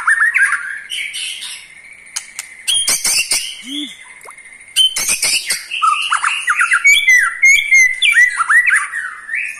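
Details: Caged eight-month-old white-rumped shama singing to provoke rival shamas: a dense, varied run of whistled and buzzy notes mixed with sharp clicks, ending in rich looping whistles.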